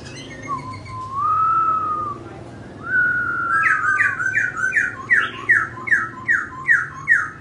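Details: Laughingthrush performing its dancing song: a long, smooth rising-and-falling whistle, then a clear sustained note, followed by about nine quick upswept whistled phrases repeated at a steady pace.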